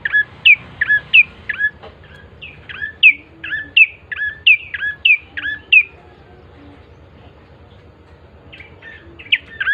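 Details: Bar-winged prinia song used to coax other prinias into quick singing: a fast string of about a dozen looping chirps, then a quiet spell before a few more notes.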